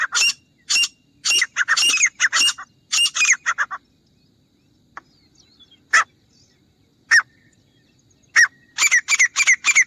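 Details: Grey francolin (teetar) hunting call: loud, harsh notes in quick clusters for the first few seconds, a quiet gap with scattered single notes, then a renewed rapid run of ringing calls at the end.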